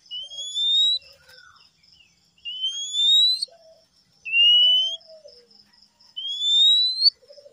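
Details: Male oriental magpie-robin sings four bright whistles that slide upward, spaced about two seconds apart, with short low warbles in between. The recording is used as therapy for stressed birds that have stopped singing.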